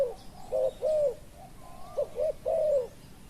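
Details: Spotted dove coos while a wild dove is decoyed: short paired low notes followed by a long swelling arched coo, twice in quick succession, with a faint sliding whistle between phrases.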